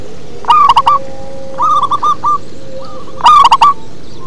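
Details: Zebra dove of a local strain singing in the bass 'ngebas' style: two loud clusters of rapid rolling coo notes with a quieter run of coos between them, over a low steady background hum.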